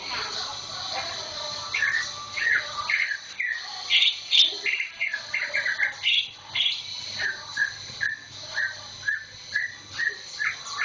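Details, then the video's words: Caged green leafbird, bought only a week earlier with tail feathers still growing in, already singing often: after a few seconds of hazy background noise, short clear whistled and chirping notes come in rapid, irregular succession, varying in pitch. "kicau cucak ijo"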